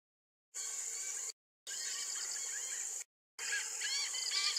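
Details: A flock of Chestnut-headed bee-eaters in Kumana National Park, Sri Lanka, in 2021 gives short, rolling trilled calls in quick bursts, over a steady high insect hiss; the sound cuts out twice.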